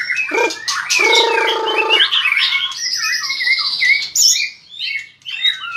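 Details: White-rumped shama singing in a fighting display while flicking its tail strongly; a harsh buzzy rattle at the start gives way to clear whistled slurs and high sweeping notes.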